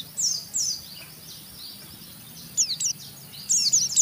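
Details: Oriental white-eye, locally pleci, chattering roughly ('ngeriwik') to provoke other white-eyes: scattered high squeaky notes and short bursts, fairly faint against steady hiss.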